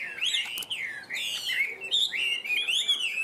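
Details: Caged yellow-legged Chinese hwamei singing loud, rich whistled phrases that swoop up and down in long slurs, broken by a brief sharp click near the start.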